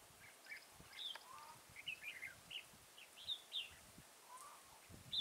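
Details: Red-whiskered bulbul singing at a trapping site near Chùa Hương, Mỹ Đức, 11 November 2017; quick chirpy warbled phrases follow one another through the clip, with lower fainter notes from other birds and rustling outdoor noise.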